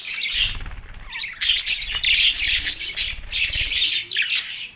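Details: Budgerigars in Larkana, Sindh, recorded March 9, 2024, during mating excitement: dense, continuous high warbling chatter with scratchy squawks, broken by brief pauses, over low thumping handling noise.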